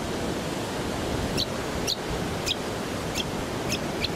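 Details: Brown honeyeater (Lichmera indistincta), Sunshine Coast, Queensland, September 2021, giving six short, sharp high notes, roughly two every second, over a steady rushing background like surf or wind.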